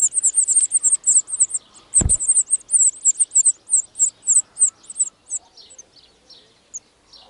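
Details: Spring 2018 at a wild European serin nest, one of the season's first broods: a rapid string of high, tinkling, buzzy notes that slows and fades after five seconds, broken by one dull thump midway.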